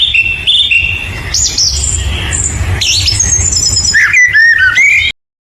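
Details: Bird calling with squawky notes, high chirps and short whistled slurs over a steady low rumbling background, then a rising, twisting whistle near the end before the sound cuts off.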